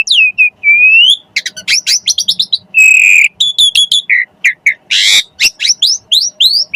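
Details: Training recording of Javan pied starling song for magpie-robin keepers to copy into their birds: a rapid, varied run of rising and falling whistles, buzzy harsh notes and crisp chirps, loud and densely packed with only brief gaps.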